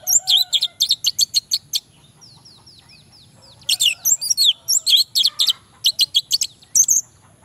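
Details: Orange-headed thrush male song played as a lure for males that sing reluctantly: quick runs of sharp high chirps, a thin series of descending whistles in the middle, then more dense chattering bursts.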